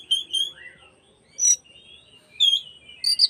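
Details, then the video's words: Oriental magpie-robin song used as an afternoon lure to provoke other magpie-robins into fanning their tails: a few scattered sweet whistled notes and a short downslurred note, separated by brief pauses, with a faint low hum. "PANCINGAN BURUNG KACER BUAT SORE HARI DI JAMIN KACER LAIN LANGSUNG IKUTAN BUKA EKOR"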